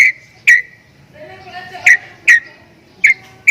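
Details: Javan myna making strange sounds: a few separate whistled notes near the same pitch, each with a sharp clicky attack, spaced unevenly about half a second to a second apart, with faint low murmur between.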